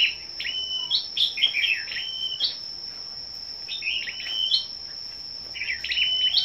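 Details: Gathered scarlet-backed flowerpeckers singing against one another on the morning of 10 May: crisp high ticks and flat, thin whistled notes in irregular groups, with gaps of quiet and a continuous high whine.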